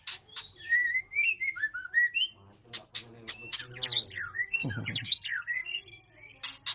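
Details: White-rumped shama during mating, giving varied whistled phrases around the middle range, some rising and falling, with sharp high clicks and rattling notes scattered throughout and a brief low burst near the end.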